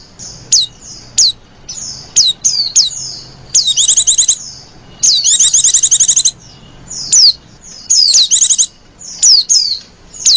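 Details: Female white-eye call used to attract white-eyes, with scattered thin downslurred whistles and sharp high chips, then rapid trilled chatter bursts near the middle and end.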